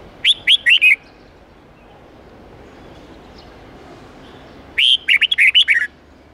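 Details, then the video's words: Red-whiskered bulbul giving its wild-type twisting song of 8 to 10 notes, a recording for young birds to learn from: a short phrase of four bright whistles, a long silence, then a fuller phrase of about seven warbled notes. "Luyện chào mào hót âm 8-9-10 giọng chuẩn rừng xoắn tít"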